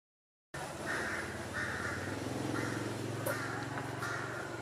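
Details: Large-billed crow in a village backyard in Thailand giving harsh, nasal caws in a steady series, about four per second, over a low rumble of background noise.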